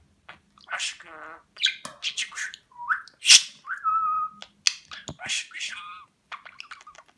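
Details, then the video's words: A talking budgerigar from Rize, 2020, practises the Turkish words 'Babacık' and 'Aşkım'. Chattering speech-like syllables are mixed with a rising whistle, a level whistled note, sharp clicks and a vibrating, buzzy phrase. "Konuşan Muhabbet Kuşu"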